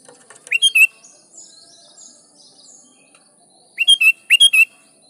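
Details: Lively sooty-headed bulbul song meant to call rivals and prompt wild bulbuls to reply; a bubbly burst of chirps opens, faint distant whistles fill a pause, then two more quick rolling phrases close.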